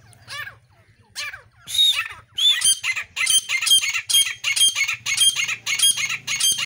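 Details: Female grey francolin of the local desi type calling. A few softer notes build into a loud series of harsh, ringing calls repeated roughly twice a second, with a steady low hum behind them.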